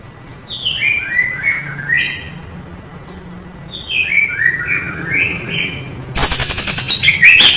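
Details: Captive white-rumped shama used as a master tutor recording, singing rich varied phrases: slurred whistled notes sweeping down in clusters, then a loud harsh burst of buzzy noisy notes near the end.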